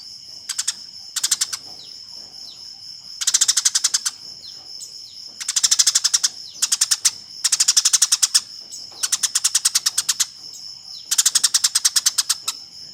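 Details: Fighting Eurasian tree sparrows' chatter, a training master for contest birds: repeated bursts of rapid, rasping chirps, roughly every two seconds across thirteen seconds, varying from short clusters to long runs, above a steady high hum.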